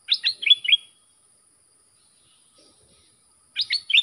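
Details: Red-whiskered bulbul song for teaching young birds and calling wild birds: a fast phrase of five or six chirpy warbled notes, a pause of nearly three seconds, then the phrase begins again.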